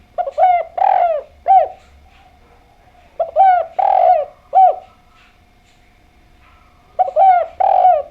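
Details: Spotted dove song, three rhythmic coo phrases of short rising hoots around one rolling, fuller note, each phrase lasting about a second and a half with pauses between, recorded in a quiet setting.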